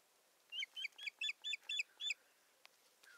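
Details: An osprey at its nest in northern Satakunta, Finland, on 7 May 2019, while the male brings twigs and bustles about, gives a quick series of seven shrill whistled notes, each sliding downward, about four per second, then falls quiet.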